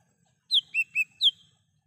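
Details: Lesser green leafbird singing in the wild, a recording meant as a lure. One crisp phrase of four whistled notes: high, two lower and rounder, then high again, each falling in pitch.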